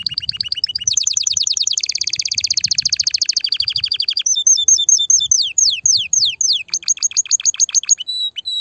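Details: Excited canary singing meant to prepare females for mating and nest building: rapid high trills that thicken into a dense rolling run, then a series of separate descending slurred whistles and a brief steady tone.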